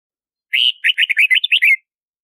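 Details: Red-whiskered bulbul singing one brisk, chirpy phrase of about six quick warbled notes: a longer opening note, then a run of short rising and falling chirps, with clean silence around it.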